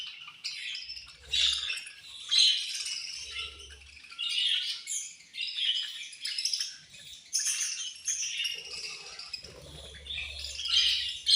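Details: Several caged budgerigars chirping while eating, described as angry: steady overlapping harsh twitters and squawks throughout, with intermittent low knocking noises.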